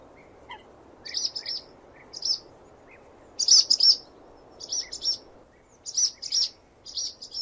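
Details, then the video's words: Lively swallow twitter, doubled and tripled high chirps coming rapidly, a louder dense burst midway, and occasional faint lower notes beneath. "CANTO DE GOLONDRINA"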